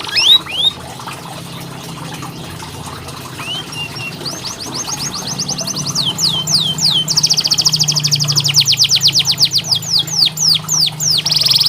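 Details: Canary song played as tutoring for lazy singers: a few scattered whistles at first, then building into fast series of high downward-sweeping notes and dense trills that continue to the end over faint background hiss.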